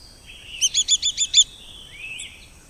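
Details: Pearl Kite in Costa Rica giving a quick run of six high, sharp chipping notes in under a second, followed by a faint thin upslurred whistle against a quiet outdoor background.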